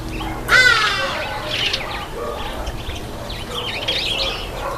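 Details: Red-headed finch, also called red-headed amadina, taking a bath: one loud, nasal, harmonic call that drops slightly near the start, followed by scattered soft chirps and faint rustling.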